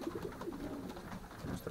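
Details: Young racing pigeons in their loft, nervous after being startled while starting to fly; low soft cooing notes repeat through the short recording, with room echo.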